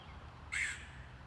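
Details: Rare red-headed woodpecker, wild, giving a single short harsh raspy call over a low background hum.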